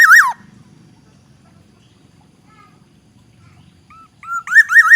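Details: Aceh black-naped oriole, Indonesia: the tail of a liquid whistled phrase, a quiet pause with faint low rumble, then a short whistle and a rising note leading into a loud wavering fluty phrase.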